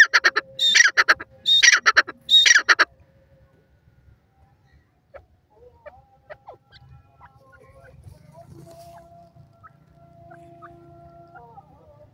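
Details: Francolin, called Rohilla teetar or Irani teetar, calling: three loud, harsh, grating bursts packed into the first three seconds, then quiet with faint scattered chirps of other birds in the background.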